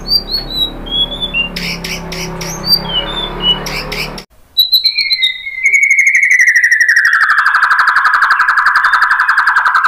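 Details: White-rumped shama song played as a lure to make other shamas answer and sing fully: scattered high whistled notes over a noisy background, a brief pause, then a long, loud, steady buzzy tone slowly falling in pitch.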